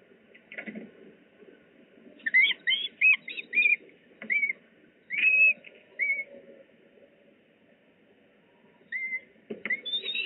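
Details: Peregrine falcon calling at Poznań, Poland, on 8 July 2020: clusters of short, bright whistled chirps and slurred notes in quick bursts, then a long quiet stretch before a few more whistles near the end.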